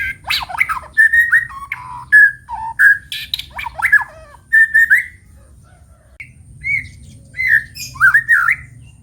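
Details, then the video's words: White-rumped shama singing in the morning: a lively mix of clear whistled notes, quick slurred phrases and sharp high chips, pausing briefly midway before resuming, over a low steady hum. "Kicau Pagi Murai Batu"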